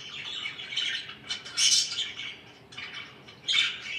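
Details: Household budgerigars chirping in raspy, warbling bursts with a short pause midway, a loud squawky note rising out of the chatter twice.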